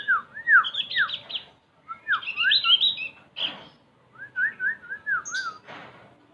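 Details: {'caption': 'Javan white-eye song: loud clear whistled notes that rise and fall in looping phrases, mixed with higher rapid chattering twitters, delivered in bursts separated by short pauses, with a couple of brief noisy rustles.'}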